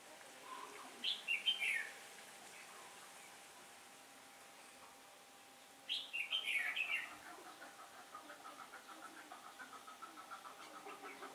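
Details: Red-whiskered bulbul used as a decoy during trapping on a day of shifting wind, 15 October 2017, singing competitively to lure wild birds; two bright, warbled, descending phrases several seconds apart, then softer rapid chips.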